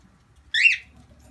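A cockatiel chick gives one harsh, raspy call of about a quarter second, rising slightly and then falling. Faint low background hum underneath.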